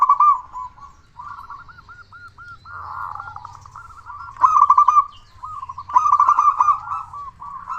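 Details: Local zebra dove singing hard to stimulate other doves: a string of evenly spaced hooked coos leads into a buzzy purr, followed by two loud rapid trilled phrases and more rounded notes.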